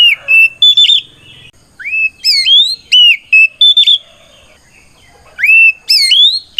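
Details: Oriental magpie-robin fighting song, loud and full (gacor ngeplong), meant to provoke other magpie-robins into answering: loud whistled rising and flat notes with sharp chips, in bursts separated by short pauses.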